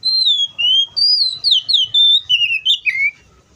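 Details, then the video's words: Oriental magpie-robin, wild, singing a continuous chain of clear whistles, each note gliding up or down, quickening into short slurred notes before ending on a lower falling whistle. "THIS COPSYCHUS SAUCARIS BIRD MOST LUXURIOUS SOUNDS LIKE IN THE WILD!"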